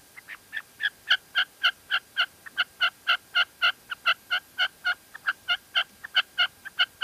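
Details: Female red-legged partridge, La Mancha, Spain: a loud, fast, continuous chain of short notes, roughly four per second, with occasional quieter notes in between.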